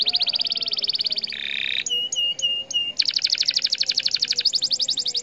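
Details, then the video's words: Canary song played to provoke other canaries: a fast high trill, a brief buzzy rolled passage, four separate piping notes, then a long dense rapid trill that quickens near the end. "Kenari MANA saja BAKAL LANGSUNG Respon,,!! Dengan Pancingan Kenari Gacor Cuit Cuit EMOSI IN"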